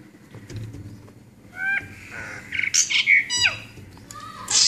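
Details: Brahminy starling giving harsh chattering notes, buzzy bursts and short whistled slurs, starting quietly and growing louder and busier over a faint low background hum.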